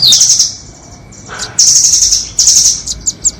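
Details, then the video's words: Nuthatch lure audio pitting the doraemon against the red-billed type: a sliding thin whistle into a buzzy high trill, a pause with a brief lower note, then long sizzling trills and a few sharp ticks. "Pikat burung rambatan doraemon vs paruh merah"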